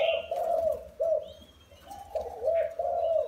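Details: Wild-caught spotted dove after four caged years, cooing in soft low pulses with a quiet gap mid-phrase and a faint thin whistle above.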